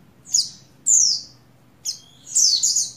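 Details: Shrill, descending chirps from a breeding female Oriental white-eye of the buxtoni form calling to a male. A closing burst runs several notes together, with faint low hum in the background.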